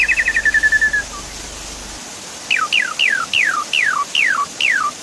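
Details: Javan pied starling: a quick chattering run of short notes, then seven clear whistles, each sliding steeply down, spaced about half a second apart; a lure recording with water sounds, meant to prompt starlings that have stopped singing.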